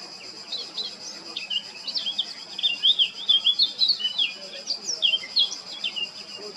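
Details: Male Eurasian blackcap singing at Baška on the island of Krk, Croatia, on 20 July 2022: a quiet twittering start building into loud, rapid, warbling whistled phrases, sweet notes tumbling up and down, with a steady faint hum behind.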